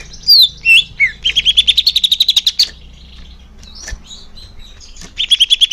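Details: Greater green leafbird song used to stir caged birds into singing: a few slurred whistles followed by a long fast run of buzzy repeated notes, quiet pause, then more trilling.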